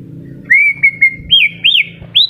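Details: White-rumped shama (murai batu) in moult, just beginning to regrow feathers yet still singing melodiously: clear whistled notes, a level held tone, then rising looping phrases, over a low steady hum.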